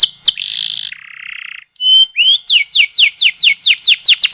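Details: Canary song used as a lure to make young canaries sing quickly and roll vigorously: a high buzzy trill and a steady whistle, a brief pause, then a fast run of about a dozen bright, downward-sweeping whistled notes repeated evenly.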